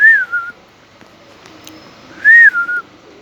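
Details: Indian ringneck parakeet kept as a pet, voicing talk in Urdu or Hindi: a short arched tonal note followed by a lower level note, repeated once after about two seconds, with faint room noise between.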